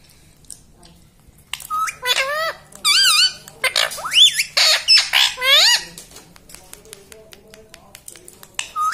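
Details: Pet talking parrot in a quiet room: a lively series of about ten loud, nasal, harmonic, speech-like syllables, many sweeping up and down, spread over several seconds with short gaps.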